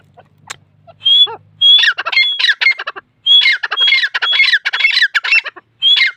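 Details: Grey francolin chicks, known locally as dakni titar, from Taunsa; loud bursts of shrill squawking and chirping notes with whistled rising tones, in clusters separated by brief silences, on a quiet background.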